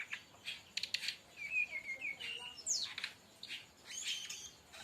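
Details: Song of a brown-chested jungle flycatcher in tembakan style, recorded as a lure and training track: a wavering mid-high whistle, then a steep downward slur and scattered sharp chips.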